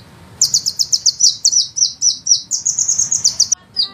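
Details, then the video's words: Sunbird master recording for songbird training: a quick steady string of high, sharp notes, about four each second, running for three seconds before stopping. "suara penghisap madu ngeroll nembak panjang"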